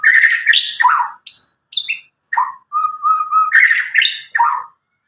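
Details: Medan white-rumped shama, caged, about nine months old and newly out of juvenile plumage, its loud clear song used to stimulate young birds to sing: harsh downslurred chips alternating with a steady whistled trill, short gaps between phrases.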